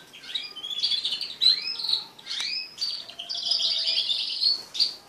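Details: Crested canaries, pet birds in a group mating, warble continuously: overlapping high chirps, sweeping notes and twittered runs with little pause.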